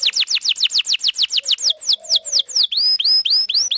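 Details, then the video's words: Female canary singing to lure a male, used to train young birds to sing: a fast series of bright downward-sweeping whistled notes, then slower upslurred whistles, repeated about twice per second, with a faint low warble beneath. "Kenari gacor panjang Cuit Cuit EMOSI, Pancingan Kenari Paud Belajar Bunyi"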